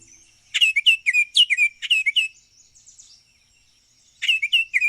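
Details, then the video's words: Baltimore oriole calling, a breeding songbird of open woodlands and backyards: quick bursts of clear, slurred whistled notes around 0.6 to 2.4 s, a faint pause, then a brief renewed burst near 4.2 s. "Baltimore Oriole Call and Sounds"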